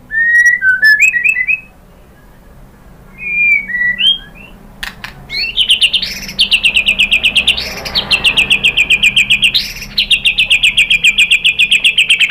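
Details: White-rumped shama singing as a lure to provoke answering song: a few fluty whistled notes, a pause, then a long fast, even trill of rapid repeated high notes lasting several seconds.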